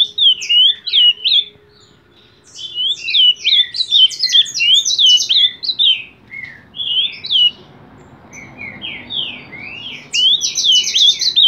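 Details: Ultramarine grosbeak singing bursts of fast, swooping whistled notes separated by short pauses, ending in a quick buzzy trill, with low background noise audible between phrases.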